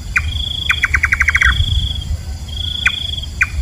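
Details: Nightjar, called nok kaba in some Thai areas, a night-active bird: a single sharp note, then a quick accelerating string of about nine notes, then two more lone notes, with steady insect whine behind.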